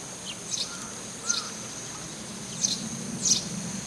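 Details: A Eurasian tree sparrow that regularly calls from the same rooftop gives short, harsh chirps, about five in four seconds at an uneven pace, over a steady high-pitched whine and low background hum.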